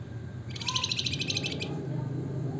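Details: Flamboyan (wergan jawa), the Javan fulvetta, producing one rapid, high, rattling trill of about one second, with a short faint whistle below it and a low hum throughout.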